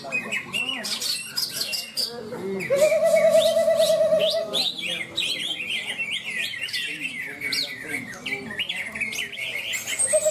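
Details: At a bird singing contest in Malinau, North Kalimantan, a greater green leafbird pours out a fast, varied song of chirps and squeaks with one long wavering whistle mid-phrase; this bird won best, and other birds, voices and clapping sound behind.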